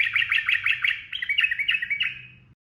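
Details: Trucukan (sooty-headed bulbul) in quick 'ropel' singing, used as training audio for cage birds: a fast run of bright, bubbly notes that slows slightly and fades out, over a low background hum.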